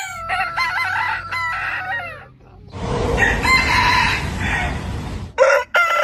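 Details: Rooster crow with clipped rising and falling notes, followed by a noisy, broadband stretch with a harsher, rougher crow over background rumble, then a brief final burst.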